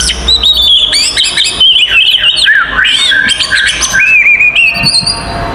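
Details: Oriental magpie-robin, kacer, singing a loud fighting song meant to provoke rival magpie-robins into excitement: rich varied whistles, sliding and warbling phrases mostly high-pitched, with rapid chattering notes and a looping wavering whistle near the end.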